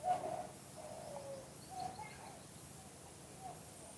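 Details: Spotted dove song in the two-kuk-hoi style, recorded outdoors: a series of low, mellow coo notes, each short and breathy, spaced roughly every half second to a second, over a steady low background hum.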